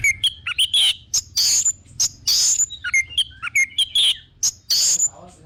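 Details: Lure song of an orange-headed thrush, meant to make kept birds sing eagerly: a busy run of loud, high, piercing whistles and chirps in short bursts with brief pauses, over a faint low hum.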